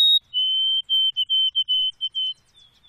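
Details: White-throated sparrow singing: one long, pure whistle held on a steady pitch, then broken into a quick run of short, even whistled notes at the same pitch, about seven in all, against a quiet background.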